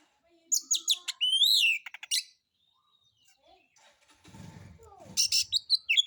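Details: Kacer or white-rumped shama with a harsh lure song to provoke other birds; an opening of sweeping whistles and chatter, then a stretch of low rustling noise before more sharp notes.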